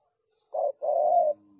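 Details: Spotted dove whose clean call is used as a lure for trapping doves: a short soft coo followed by a longer, steady hooted coo, in a quiet setting.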